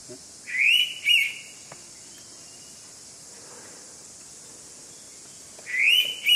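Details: Indian pitta at Keshavraj Temple, Konkan, gives a loud, clear two-note whistle, then repeats it about five seconds later, with a steady high insect hiss throughout.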